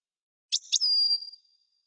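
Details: A European goldfinch gives a short phrase: two quick high clicks run into a long, steady, thin whistled note that fades slowly. No other sounds.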